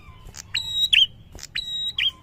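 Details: Male prinia singing vigorously: two phrases, each a short sharp note, then a level, thin whistle, then a bright downslurred flick. Faint low background rumble.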